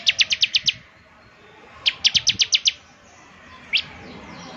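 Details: Bar-winged prinia song used to coax a caged bird: two quick bursts of six clipped, high, evenly spaced chirps, then one lone chirp, over a steady hiss.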